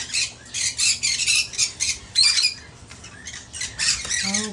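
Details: Male Hahn's macaw, rescued and missing a leg, exploring a new cage while producing fast, raspy squawking bursts, closing with a brief lower, wavering vocal sound.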